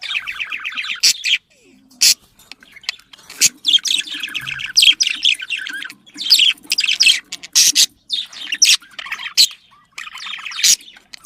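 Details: Budgerigar chatter played to stimulate breeding, pet birds: dense scratchy warbling with rapid buzzy trills and sharp clicks in bursts, brief pauses between phrases, several birds overlapping.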